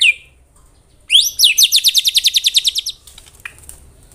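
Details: White-rumped shama delivering rapid mimicked phrases for contest training: a brief high downslur, a pause, then a fast series of about fifteen bright rising pulsed notes, ending with faint scattered chips.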